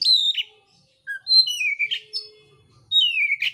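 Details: Oriental magpie-robin in contest song: clear whistled notes gliding down and ending in rasping buzzes, a short low whistle between, phrases repeated with brief pauses; faint low hum in the background.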